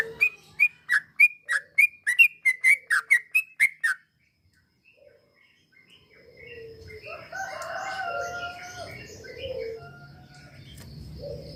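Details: Sooty-headed bulbul, played to encourage a reluctant bird to sing: about twelve loud, slightly falling notes repeated roughly three per second for four seconds, then silence, then distant crowing roosters and chickens.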